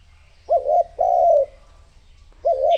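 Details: Spotted dove used as a lure for wild doves, giving a deep, mellow coo phrase: a short note, a longer drawn-out coo that slightly falls, then another short coo starting after a pause.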